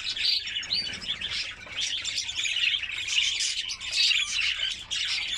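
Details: White canary warbling in a continuous, fast, chattering high song with tiny whistled accents, used to stimulate females for breeding.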